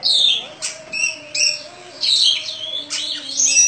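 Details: Prize-winning caged Oriental magpie-robin on its daily routine, delivering bursts of sharp, piercing whistles and slurred notes separated by short pauses, roughly every second, with a steady faint hum behind.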